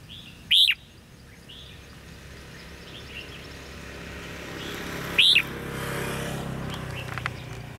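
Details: At a bulbul decoy trap on 13 February 2016, a red-whiskered bulbul gives two sharp, arched chirps about four and a half seconds apart while a vehicle's rumble swells in the background.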